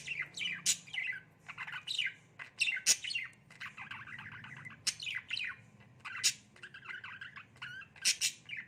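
A budgerigar chatters in quick, bright chirps and scratchy warbles, with hardly a pause.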